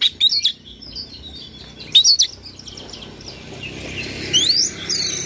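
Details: Oriental magpie-robin in morning song, a lure track meant to provoke another bird to sing its whole repertoire; sharp high chip phrases early, then quieter hiss and a rising whistled flourish near the end.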